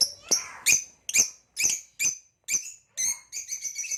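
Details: Caged Nyasa lovebirds, a green hybrid male and a Lilianae: loud harsh chirps about twice a second, ending in a quicker run of ringing squeaks.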